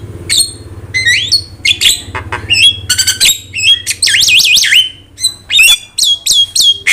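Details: Prompting and training recording of a Javan myna singing: bright whistled phrases, harsh squawks and fast wavering warbles in quick succession, with a steady low background hum.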